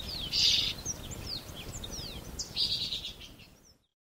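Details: Swallow in Russia singing a rapid twitter of thin rising and falling whistled sweeps, with two brighter buzzy bursts near the start and end, then silence.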